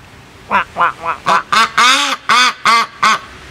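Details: Two pet domestic ducks kept at a home give a run of nine short, nasal quacks. The quacks grow louder and longer toward the middle and come in a quick, uneven rhythm of about three or four a second.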